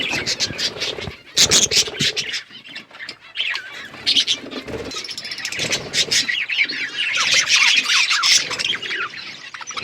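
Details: Flock of budgerigars in an outdoor aviary chattering nonstop, a dense mix of warbled twitters, scratchy squawks and quick sharp clicks that swell toward the end.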